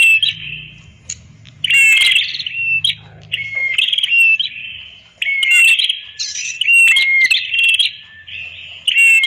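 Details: Training song of a red-headed prenjak: rapid, scratchy, high-pitched chattering with whistled notes, delivered in long, loud runs with brief gaps and a faint low hum behind.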